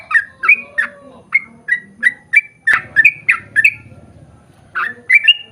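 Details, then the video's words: Sooty-headed bulbul song used to draw conspecifics into singing: spaced chirpy notes and short whistles, a sharp click near the middle, then a brief pause before the phrases resume. "KICAU SUARA trucukan gacor ROPEL PANJANG pancingan trucukan agar bunyi MENJADIKAN trucuk gacor NYAUT"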